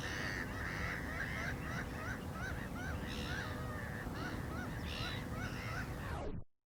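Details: Black-winged stilt producing a run of short, nasal, bent yelps in quick series over low background rumble, then fading abruptly to silence at the end.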